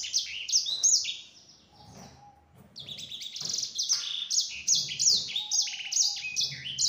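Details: Yellow-fronted canary singing a lure song meant to draw answers from other canaries. Lively bursts of high, slurred chirps and whistles, a softer quieter stretch in the middle, then rapid repeated notes resuming strongly, with a faint low hum at times.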